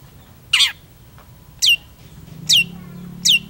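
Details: Long-tailed shrike singing actively: four sharp, downslurred notes, the first rougher and lower, the rest clean whistles, spaced nearly a second apart.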